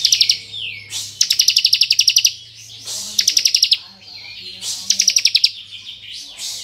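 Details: Bar-winged prinia, 'kristal' variety, used as a tutor to provoke untrained prinias, giving 'ngebren' song: long strings of fast, evenly pulsed high ticks, about a second each, separated by brief swooping whistles, with a low steady hum beneath.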